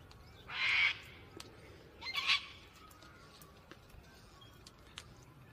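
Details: Gang-gang cockatoo giving two harsh, creaky, rasping calls, the first near the start and the second a doubled burst about one and a half seconds later, with faint clicks and quiet background between them.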